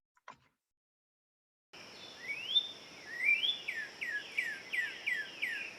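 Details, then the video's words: Northern Cardinal song, like "wheat wheat, what's your cheer cheer": two rising slurred whistles, then a quick run of about six clear downslurred notes, over a steady high hiss. "i'm going to play you the cardinal song"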